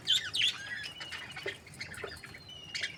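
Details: Happy budgerigars in breeding pairs chatter busily: overlapping high tweets and scratchy warbles run almost continuously, with a brighter burst of chirps at the start and another near the close.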